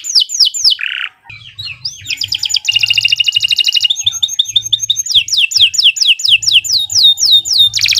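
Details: Canary master song for training young birds, sung at length: looping whistled slurs, a buzzy rolled phrase, dense rapid trills, then repeated downward-curving whistles about twice a second, with faint low hum in places.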